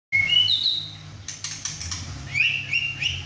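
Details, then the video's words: Captive young male White-rumped shama, six and a half months old, just through his first moult, singing hard at home beside two other caged birds: loud rising whistles, a burst of harsh notes, then further whistled phrases. "White rumped Shama – "Imagine" whacking hard"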